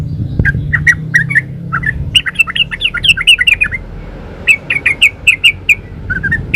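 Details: Yellow-vented bulbul singing a 'gacor ropel uplik' master song: rapid runs of short, bright, bubbling notes, a longer rolling warble midway, then evenly spaced crisp chirps over a low rumble.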